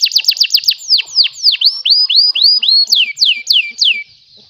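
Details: A canary from Pemalang, Central Java, Indonesia, sings a fast, high song in tours of about four notes per second: quick repeated downslurred chips, then looping swept notes, then ringing falling whistles.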